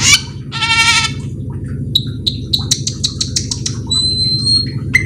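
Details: Lure song of a cucak keling singing nonstop with full fill phrases to coax other cucak keling to sing: an opening nasal, bleat-like harmonic note, then a string of short bright chips and a long level whistle, over constant low hum.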